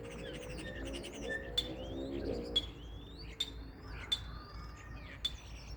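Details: Common starling: long sliding whistles rising and falling, punctuated by sharp clicks roughly every second, above a low murmur.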